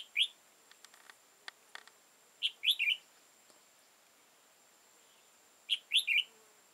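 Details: Wild red-whiskered bulbul, old, high-crested and dark-bibbed, during decoy trapping on 15 October 2018: bright warbled phrases of three or four notes, about three seconds apart, with scattered clicks and a steady high whine.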